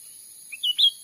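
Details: Cucak ranting from Sumatran forest, a lure sound for catching wild birds: a rapid phrase of three high chirps, a faint short one followed by two strong whistled notes, the final note sharp and rising.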